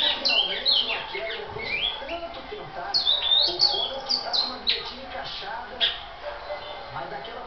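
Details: Great-billed seed finch, described as a brown ('pardo') bird, singing: quick bursts of clear whistled and warbled notes with rising and falling slurs, repeated through the clip over faint background voices and low hum.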